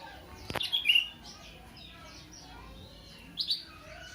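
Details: Caged sooty-headed bulbul, kept for a long time beside an oriental magpie-robin, whose song it has picked up and often answers; a quick burst of high, sharp chirps opens, then quiet, then one brief high chirped phrase near the end.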